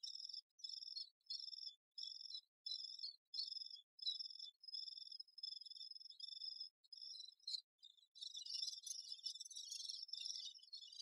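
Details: Great spotted woodpecker busy with its young: a run of about eight evenly spaced, high, buzzy harmonic bursts, then a denser, rasping chatter of overlapping high notes toward the end.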